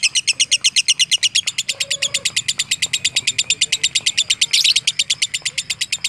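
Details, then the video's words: Shrill, rapid pulsed chatter from a fighter lovebird, kept up without a break for six seconds, with a brief rasping burst near the end. A soft low whistle sounds once early on. "MASTERAN LOVE BIRD FIGHTER"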